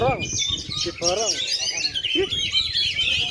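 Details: Kacer, the Oriental magpie-robin, competing in a contest ring despite 2.5 years without molting: rapid high whistles and warbled trills, with human voices in the background.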